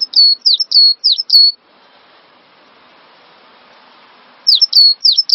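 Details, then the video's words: Cinereous tit song, a training recording used to prompt caged songbirds to sing: rapid bursts of sharp, high, down-slurred notes, each ending in a short level whistle, about five notes, a pause of soft hiss, then another burst. "Master Burung Gelatik Batu Full Ngisi"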